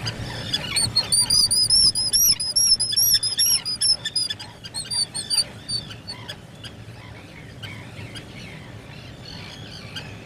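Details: Black guillemot, a breeding seabird, at its nest burrow, 2022, giving a rapid series of thin, high, wavering whistles about twice a second. The series fades after six seconds into steady low rumbling background noise.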